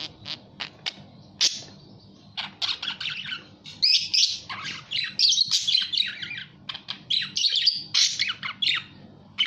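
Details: Budgerigar starting with a few isolated clicks and chirps, then breaking into dense scratchy warbling and squawking chatter.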